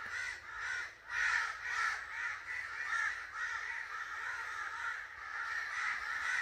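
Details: Angry crow calling in quick, harsh caws, close to two a second at first, some sharp and loud, others merging into a continuous hoarse cawing.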